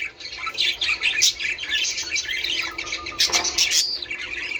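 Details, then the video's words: Busy budgerigar warbling to prompt mating, rapid chirps and scratchy chatter running without pause, with a louder cluster of sharp squeaks late on. "من أجل تحفيز طيور البادجي على التزاوج"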